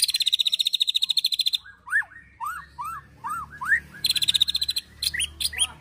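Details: White-rumped shama (murai batu) in an agitated ketrekan song with prenjak and cililin fill-ins, used to provoke and train birds: a fast buzzy rattle, then five rising slurred whistles, then another rapid rattle and sharp notes.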